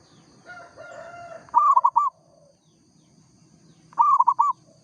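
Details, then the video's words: Local zebra dove sings two quick rolling coo phrases about two and a half seconds apart; a fainter tonal sound from another bird precedes the first phrase. "perkutut lokal gacor suara asli bikin ribut sekampung"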